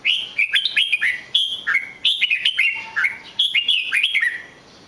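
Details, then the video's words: Continuous warbling song of a red-whiskered bulbul: a steady string of clear, slurred whistled notes rising and dipping, phrase after phrase with only brief gaps, loud and close. "chào mào hót cực hay"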